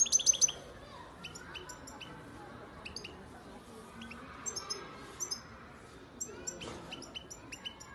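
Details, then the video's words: European goldfinch from Antalya, Turkey, a 2019 youngster, giving a loose series of high metallic chirps and twittered notes in small clusters, with faint room noise and a brief buzzy burst near the end. "Saka kuşu ötüm"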